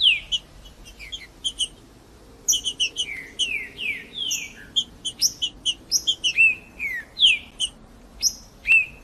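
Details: Singing green-winged saltator, recorded to encourage a silent bird to sing: a brisk run of sliding downward whistles and sharp high clicks, delivered in short bursts with brief pauses, fairly clean background.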